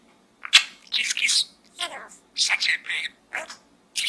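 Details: Pet budgie talking inside a small gourd, producing rapid speech-like raspy syllables in short clusters separated by brief pauses, harsh and high, over low room hum.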